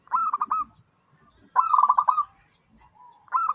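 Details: Zebra dove song of rapid, stuttering, pulsed coos. Each burst ends in a longer note, and the bursts repeat about every one and a half seconds.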